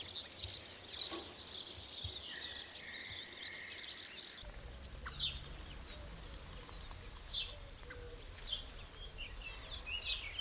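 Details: European serin singing its spring courtship song among olive branches: a loud, very high, fast jingling trill in the first second, then fainter, scattered high twittering over a low background hum.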